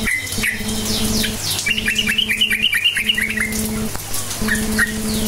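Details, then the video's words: Lively yellow-vented bulbul song used as a lure for silent bulbuls: a brisk series of about ten bright, evenly repeated chirping notes, preceded and followed by single calls, over a steady humming background. "Trucukan gacor cukcuk nguplik sangat AMPUH memancing trucuk DIAM jadikan burung NYAUT GACOR"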